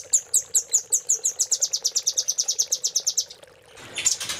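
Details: Rambatan paruh merah, the velvet-fronted nuthatch, delivering a training master in Cililin fill style: a rapid, accelerating trill of thin, high-pitched chips lasting over three seconds, followed by a short break and a harsh burst.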